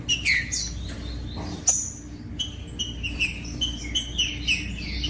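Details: Captive rufous-bellied thrush song for warming up other thrushes: loud whistled downslurs at the start, then a series of short clear notes repeated about every third of a second, with low background hum.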